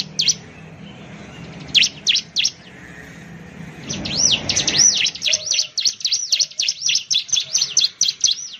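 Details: Bar-winged prinia, or ciblek, a loud-voiced Indonesian songbird, opening with a few scattered shrill notes, then a long rapid run of high, ringing, looping chirps after a burst of rushing noise.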